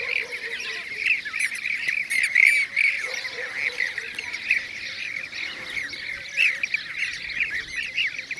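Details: Blue-cheeked bee-eaters calling together in Şanlıurfa province, Turkey, 2016: a constant wash of rolling, liquid trills from many birds, with brief sharp high chirps over the top.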